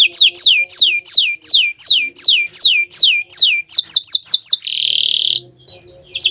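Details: Bottle-green canary song made of loud descending whistled slurs repeated steadily, speeding up near the end, then a harsh rasping buzz and a brief quiet trailing phrase.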